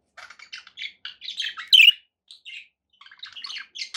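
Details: Budgies kept as pets chirp in soft clipped notes that build to one sharp, loud squeak, followed by scattered quieter tweets.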